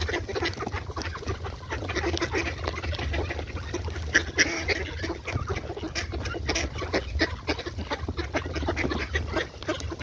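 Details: Several ducks quacking in short, harsh bursts that overlap through the recording, set against constant low-pitched noise, with a couple of louder calls near the middle.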